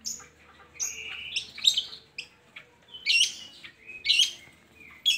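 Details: Lure recording of long-tailed shrike song meant to coax reluctant shrikes into singing: scattered scratchy high notes and sliding whistled phrases separated by short pauses.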